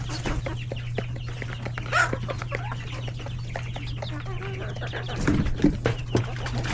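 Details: Chickens with roosters and chicks at a busy lunchtime in a coop; steady clucking and chick peeps, a few louder bursts of scratching and wing movement, and a low constant hum.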